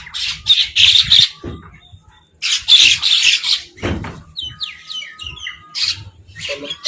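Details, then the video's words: Crows fighting while eating food, uttering loud, rasping, broadband squawks in two bursts, then a series of short, sharp chirping notes from other birds and a faint steady hum. "Crow Fight | Crow Eating Food"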